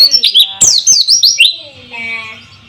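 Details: White-eye song used as a lure to make quiet birds sing, with flowing water: a brisk string of high downslurred chirps for about one and a half seconds, then soft bubbling water tones.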